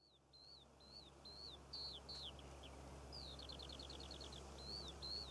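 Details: Eurasian skylark singing over poppy fields in Cornwall in June: a continuous high warbling stream of slurred chirps, then a fast run of repeated trilled notes, over a steady low hum and rural background.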